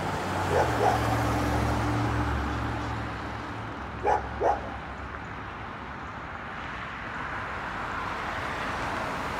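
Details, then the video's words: Crows calling in Oshawa, Ontario, Canada, on March 17, 2022: two short harsh caws near the start, then two louder caws around the middle, over steady low traffic rumble and a long droning hum. "Crows Calling"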